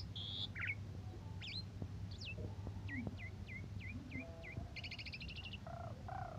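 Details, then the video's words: Asian pied starling song used as a training model for other songbirds, morning and evening: a series of five or six quick descending whistled notes, then buzzy stacked phrases and lower nasal notes, with constant low background hum. "Kondisi Pagi Sore Suara Jalak Suren Bikin Emosi Burung Lain Cocok Buat Masteran"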